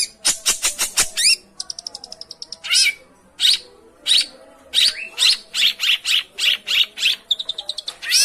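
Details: Long-tailed shrike song meant to trigger a reluctant bird to sing: bursts of rapid harsh notes alternate with fast trilled chatter and buzzy rasps, packed densely throughout.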